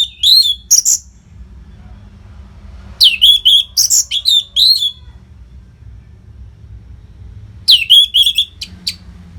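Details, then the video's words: Orange-headed thrush from North Bali singing to train fighter songbirds: short bursts of clear whistled notes mixed with crisp high clicks, separated by pauses of one to three seconds; faint hum in the background. "SUARA MASTERAN ANIS MERAH GACOR RAPET NO JEDA INI UNTUK MELATIH FIGTHER BURUNG AGAR SELALU FIT"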